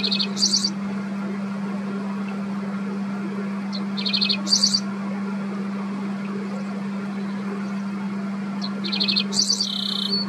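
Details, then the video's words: A Dickcissel in the Midwest, singing from fence posts and bushes, gives three short phrases of sharp, dry notes running into a buzzy trill, spaced about five seconds apart, over a steady low hum. "Singing Dickcissel"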